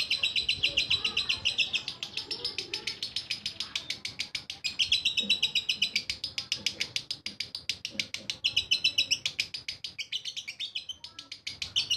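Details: Lovebird in ngekek song: long runs of rapid, harsh, high chattering notes repeated about four per second, in bursts with brief pauses, some faint background chatter.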